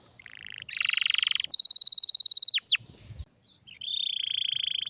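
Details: Canary singing rapid trills at different pitches, including a very high fast rattling trill and two sharp falling whistles, a brief pause, then a steady buzzy trill.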